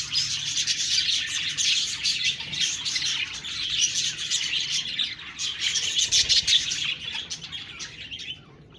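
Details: Budgies chattering and chirping: an unbroken, busy stream of high, buzzy warbles and quick tweets, loud for most of the stretch, then thinning and quieting near the end.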